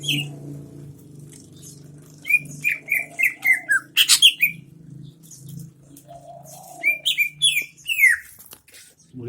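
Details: Aceh Tengah greater green leafbird in 'isian MB' song: runs of sharp, downslurred whistled notes about four per second, a pause, then another burst of bright chirps, faint low hum beneath.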